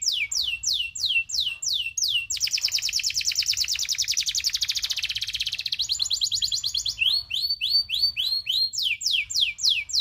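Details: Local canary of the loper style, a tutor recording with long rolling song: loud rapid series of downslurred whistled notes, then a dense buzzy trill lasting several seconds, then more sweeping notes repeated about three per second.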